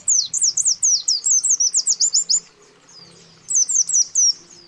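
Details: Male and female white-eye calls aimed at a rival: a long rapid chain of thin, high downslurred notes, a gap, then a shorter burst of four notes.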